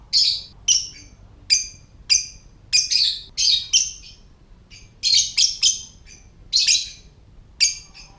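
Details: Lovebird in ngetik (typing) mode, a call used to bring other lovebirds into song and breeding condition: a long string of about eighteen sharp, high chirps, some paired or tripled, with brief gaps.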